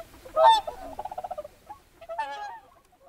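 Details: Whooper swans at a lake with pintail ducks nearby: one loud nasal honk, followed by a short run of quick softer stuttering notes, then a further pair of bugling honks after a brief pause.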